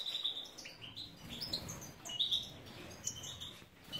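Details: European goldfinches, Carduelis carduelis major, bred in captivity in Ioannina, Greece. High, clear whistled chirps and tinkling notes come in rapid succession, some sliding upward, over faint background hum.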